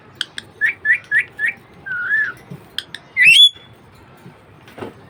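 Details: Pet budgerigar producing a quick run of four short warbled chirps, a longer wavering whistle, sharp clicks, then a loud rising squawk-whistle; quiet room background.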